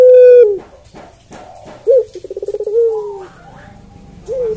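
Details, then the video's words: Barbary dove (puter pelung) call, softer here. The end of a held note is followed by light clicking, then one full phrase of upslurred note, pulsed trill and falling drawn note, and the start of another. "Suara Puter Pelung Merdu"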